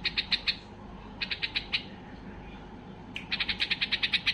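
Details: Three quick bursts of ringing, clipped notes from an excited white-eared bulbul singing to draw song from other bulbuls, each burst four to eight notes, separated by brief silences.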